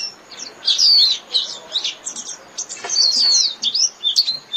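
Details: Japanese white-eye singing to call its flock: high, thin twittering notes with rapid slurred whistles and descending sweeps, in bursts with brief pauses.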